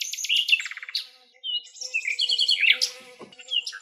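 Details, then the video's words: Recorded in Greek nature, a wild common nightingale sings a quick stuttering series of notes, then after a short gap sweeping whistles and warbled phrases, over a faint low hum. "ΑΗΔΟΝΙΑ ΚΕΛΑΗΔΗΜΑ η ΣΥΝΑΥΛΙΑ με ΑΗΔΟΝΙΑ - COMMON NIGHTINGALE SONG"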